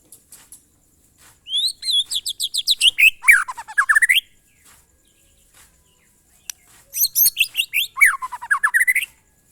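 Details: White-rumped shama giving the monotonous glondong song style: clear rising whistles followed by a fast cascade of descending slurred notes, delivered twice with quiet pauses between.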